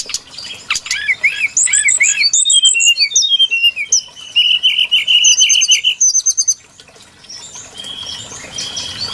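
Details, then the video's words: Brown-chested jungle flycatcher lure song: chattering notes open into a run of bright whistled phrases that settle on a repeated mid-high tone, then fade to soft distant twitters. "Suara pikat burung sikatan SRDC Sikatan rimba dada coklat"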